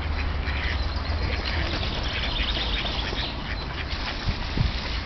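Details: Hundreds of wild ducks on the unfrozen Tourujoki river in Jyväskylä, Finland, in winter: a constant mass of brief, rough quacks from many birds blending together, with a strong low rumble underneath.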